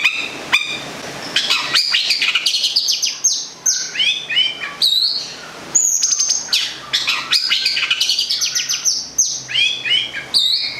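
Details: Cendet, the long-tailed shrike, a local bird from Gedong Songo in Central Java kept as a pet songbird, singing a rich run of high whistled slurs, falling notes and buzzy trills, almost without pause.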